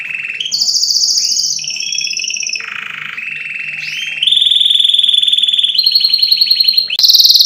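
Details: Excited canary song for training birds by ear, built from a long chain of rolling trills that shift up and down in pitch and end in a loud shrill burst.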